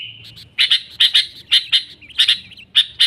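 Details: Sooty-headed bulbul singing energetically, an original recording without mimicked inserts that serves as a trapping lure: sharp, high chirps given in quick pairs, with short gaps between them.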